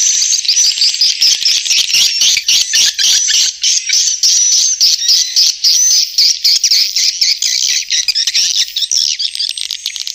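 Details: Swiftlet chatter, rapid and unbroken, mixing high squeaky twitters with thin whistled notes over about ten seconds.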